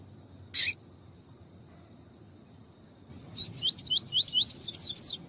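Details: Double-collared seedeater (coleiro tui-tui), male with female calling, played to stimulate a male to sing: one sharp harsh burst, a pause of about two seconds, then about nine rapid slurred whistles rising in pitch toward the end.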